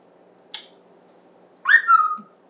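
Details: Pet African grey parrot, kept indoors since December 2020 and raised to talk, recorded 14 September 2024: a faint click, then a loud slurred whistle-squawk sliding down and levelling off for about half a second in a quiet room.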